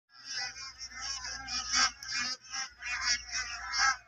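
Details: Large flock of bar-headed geese at Kaziranga National Park, Eastern Range: dense, overlapping nasal honking calls from many birds, given in quick irregular bursts with brief pauses, with no other clear sounds.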